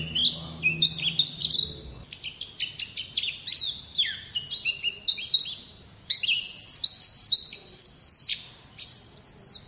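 A white-eye sings a fast, high, tumbling warble of thin chirps and slurred whistles, phrases running almost without pause; a faint low hum sits underneath at first.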